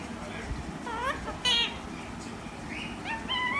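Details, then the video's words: Green parrot giving several short whistled notes, some rising and some falling, scattered through the clip over a steady background noise. "Relaxing green parrot with natural sounds"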